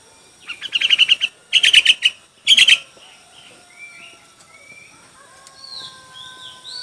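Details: Chinese hwamei in a song contest, giving three harsh, buzzy, rapidly pulsed bursts. Soft, thin whistles follow amid quiet background noise.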